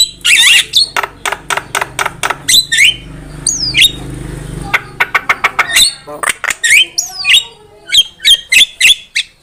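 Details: Javan myna song played as a trapping lure, with fast repeated sharp chattering notes, some sliding whistles and harsh squawks, broken by a short quieter stretch with a low hum in the background.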